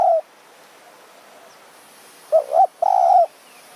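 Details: Evening luring of a spotted dove with a decoy bird in high mountain forest, Kanchanaburi, Thailand: after a pause, a low doubled coo followed by one drawn-out steady coo over faint background hiss.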